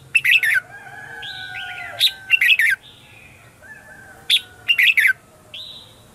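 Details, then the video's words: Red-whiskered bulbul morning lure song to call wild birds: sharp clustered whistled phrases about every two seconds, with softer sliding notes between and a faint steady tone behind. "Luyện chào mào hót sáng - CHÉ GỌI BỔI CĂNG ĐÉT"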